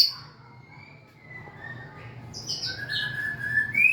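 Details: White-rumped shama singing with dancing and tail wagging: a few thin, drawn-out whistles, quiet at first, then louder high notes and a rising whistle at the end, over low background hum.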